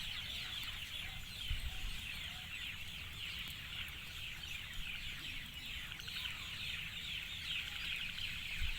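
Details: Dusk bird chorus of many overlapping high twittering chirps, steady in loudness throughout, with a few low thumps and a constant low rumble.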